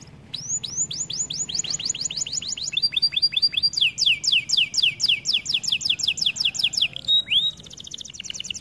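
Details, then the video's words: Canary song used for training: rolling series of fast downward sweeps, shifting pitch between phrases, closing with a trill and a rising whistle. "Melodies Canary bird song | Training video"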